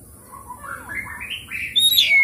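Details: Oriental magpie-robin song used as a lure to set a lazy bird singing and spreading its tail: a stepped series of whistled notes climbing steadily in pitch, ending in louder, sharp high chirps.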